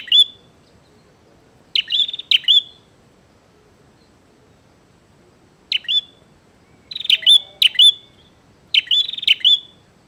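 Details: Bar-winged prinia singing hard to provoke a fight: an opening burst, then a series of sharp, high-pitched chirping phrases at irregular gaps, bunching into three quick bursts near the end, over a still background.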